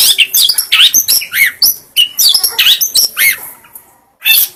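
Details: Song of a long-tailed shrike, meant to spur other birds to sing: quick bright chirps and sweeping upward squeaks repeated in a busy run, fading out before a final sharp burst.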